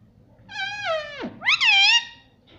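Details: Pet ringneck parrot indoors speaking "mummy": a long, evenly held harmonic note sliding down, then a sharp rising syllable that wavers and fades, with a person speaking softly afterward.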